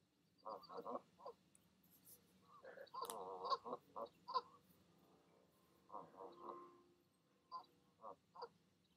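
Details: Goose parents coaxing their goslings off the nest at evening: choppy nasal honks and grunts, one drawn-out wavering call near the middle, then scattered short calls trailing off.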